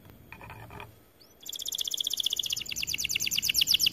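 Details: White AF canary in vigorous song. A faint short chatter and a brief upslurred note come first, then a loud, rapid trill of high repeated notes fills the rest.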